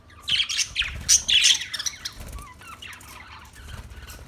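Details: Budgerigar giving a loud burst of scratchy, squeaky chatter, then softer short rising chirps fading out.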